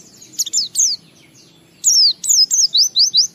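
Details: Oriental white-eye ngalas-wiksar lure song, meant to make other white-eyes sing: short high chirps, a pause, then a quick run of piercing, down-slurred whistles.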